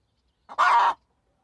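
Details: Hen giving a single loud, harsh squawk lasting about half a second, preceded by a brief softer note, in otherwise quiet surroundings.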